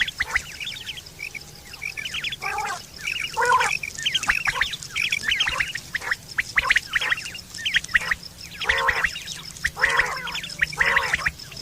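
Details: Quails calling in September 2023, with a call said to be used for hunting and mating: a long stretch of busy, overlapping chirps and twitters, broken by occasional louder nasal squawks, over a constant low hum.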